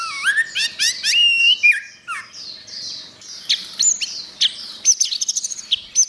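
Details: Orange-headed thrush tutor song, gacor style: dense series of sweeping, rising and falling whistled notes, loud at first, then higher thin slurs and a rapid trill of clipped notes, with a constant soft twittering underneath.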